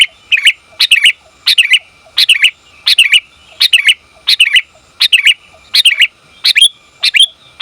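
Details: Calling female sooty-headed bulbul seeking the male: a steady run of about eleven doubled chirps, evenly spaced roughly every 0.7 seconds, crisp and close.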